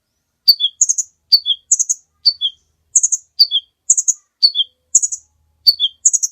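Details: Kolibri ninja sunbird singing nonstop as a tutor recording: a repeated phrase of a burry high note and two descending chips, cycling about every half second, with a quiet background.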